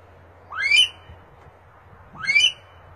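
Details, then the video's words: Himalayan monal giving two loud, rising whistled calls, each sweeping upward over about half a second with a harsh edge, about one and a half seconds apart, with a faint low hum beneath. "Himalayan monal best voice.sound"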